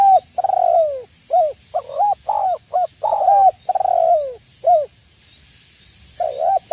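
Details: Spotted dove in lively full voice, calling a rival as a lure to draw wild doves close: a rapid run of short, hollow, mid-pitched coos, some drawn out and falling, then a pause and a fresh pair, over a steady high hiss.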